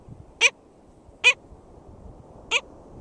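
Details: Black skimmer calling at a nest, St George State Park, Florida, 22 June 2013. Three short, nasal, harmonic barks come at uneven spacing within three seconds, with a soft low background rumble.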